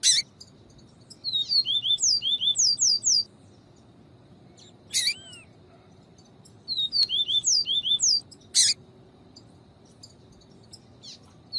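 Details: Double-collared seedeater of the viviti song type, used for training and warming up males, with female calls: two phrases of rapid high downslurred whistles, interrupted by loud sharp chips and a soft twitter.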